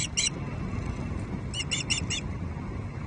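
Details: Female Osprey on her Loch Arkaig nest, Scotland, evening of 5 May 2023, scolding her mate over a fish. Loud, bright chirps: two quick notes, a short gap, then four evenly spaced piercing notes against low background rumble.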